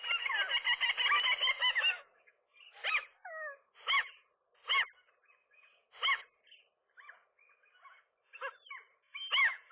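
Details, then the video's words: Gull pair defending a rooftop nest against a lone intruder, possibly a female, on an April morning; an initial dense burst of harsh cries, then separate loud barking yelps roughly every second with short squeals between. "seagulls, gull wrestling"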